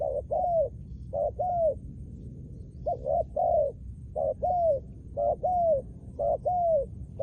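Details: Decoy-trained spotted dove repeating its cooing phrase about six times in quick sequence, each a clipped double note then a drawn-out, gently falling coo, over a low background hum.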